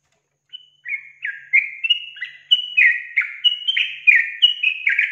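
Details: A Yellow-vented Bulbul, used as a lure call to provoke young birds into calling, gives a bubbly, chattering run of short liquid notes, about three per second, mid-high in pitch and rising and falling over a quiet background.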